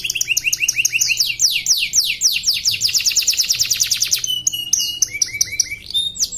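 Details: Caged canary from Pontianak, West Kalimantan, Indonesia, singing in an online canary song contest: rapid runs of sweeping downward notes repeated in quick trills, then higher whistled phrases with clipped rising notes.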